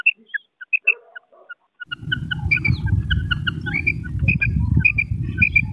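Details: Common quail female call from Pakistan: scattered high clipped notes at first, then a loud low rumbling noise sets in while rapid paired notes continue over it, thickening toward the end.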